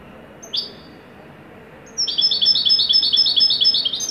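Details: European goldfinch of the Moroccan Wydani type in joyful song; a single sharp high chirp, a pause, then a fast, regular chain of bright liquid twitters, roughly two notes per second.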